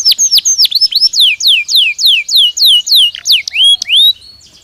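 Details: Belgian canary singing, offered as stimulus audio for training caged canaries: a series of loud, swooping downslurred whistles, each rising sharply then falling, repeated roughly three times a second before the song fades out into quiet.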